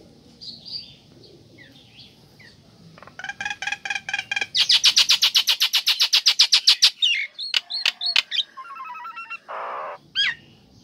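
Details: Nias hill myna female calling to a male: soft scattered chirps, then a loud rapid buzzy pulse series, followed by sharp hooked notes and a short nasal rasp.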